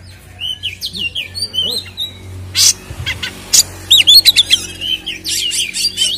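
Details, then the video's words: Oriental magpie-robin (kacer) in 'ngeplong tarung' fighting song, used to provoke other kacer: soft whistled slurs at first, then a run of sharp harsh clicks and buzzy bursts mixed with fast twisting whistled notes. "SUARA BURUNG Kacer gacor isian NGEPLONG TARUNG ini paling AMPUH buat PANCINGAN KACER agar EMOSI"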